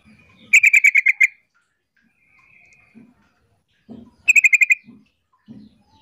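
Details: Female sooty-headed bulbul calling to draw the male into answering. Two quick bursts of about seven harsh, evenly pulsed notes, roughly three seconds apart, with soft low thumps between them.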